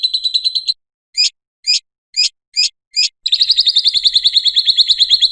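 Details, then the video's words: Lovebird ngekek song intended as a lure and master for other lovebirds. A short rapid shrill trill, five spaced sharp chirps, then a renewed fast trill of quickly repeated high notes. "Suara Ngekek Burung Lovebird Cocok Untuk Pancingan dan Masteran"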